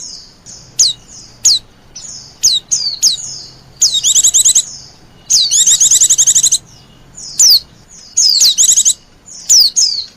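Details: Lure call for wild Oriental white-eyes: sharp high downward-sliding whistles scattered between two longer bursts of quick buzzy trills.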